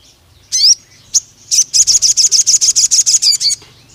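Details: Pied fantail in an agitated, long-shooting song used to provoke rivals. A couple of introductory squeaks lead into a rapid, even string of about fourteen shrill high notes, ending with two slurred notes.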